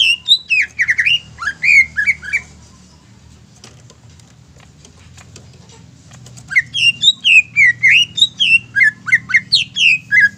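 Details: Caged greater green leafbird song used to provoke other birds into singing: two bursts of loud, rapid, clear whistled notes swooping between high and middle pitch, separated by a quiet pause of about three seconds, with low background hum.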